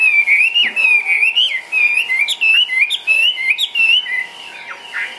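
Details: Loud whistled song from a caged Chinese hwamei, ngũ trường style, sung while hopping: clear notes looping up and down in quick succession, with brief sharp breaks between phrases.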